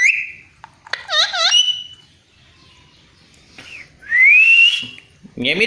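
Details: Parrot mimicking a meow: a short level whistle, three quick wavy harmonic notes, a long quiet stretch, then a clear rising whistle and a harsh harmonic call at the end.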